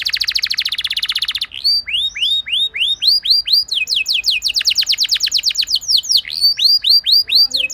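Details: Domestic canary singing a lure song intended to make other canaries burst into song; an opening fast roll, a string of repeated upslurred whistles, a second long rapid trill, then more rising whistled notes.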